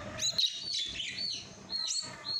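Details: A baby common myna begs while being hand-fed, giving harsh, raspy, high chirps in rapid bursts that barely pause, loud and insistent throughout.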